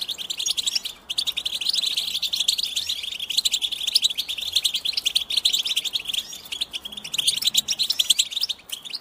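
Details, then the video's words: Goldfinches singing, played to stimulate and teach other goldfinches: a fast, unbroken, high twittering of tinkling chirps and trills that runs densely throughout with only brief pauses. "Cute birds chirping to stimulate the goldfinch"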